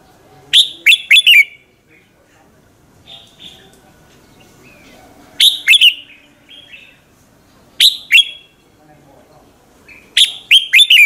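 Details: Red-whiskered bulbul in fierce morning competition song, used to stimulate other bulbuls to sing: four bursts of rapid, ringing slurred whistles at uneven intervals, with soft, faint chatter in the pauses.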